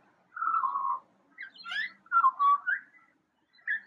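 A Eurasian magpie imitates a siren in short bursts of wavering whistled tones that slide down and up, mixed with a few harsher, chattery notes.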